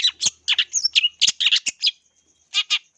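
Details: Lure song of a long-tailed shrike for training birds: a quick jumble of loud, scratchy chirps and squeaks, some sliding upward, in bursts of two or three notes. A short pause follows, then two final harsh notes, over a faint steady high tone.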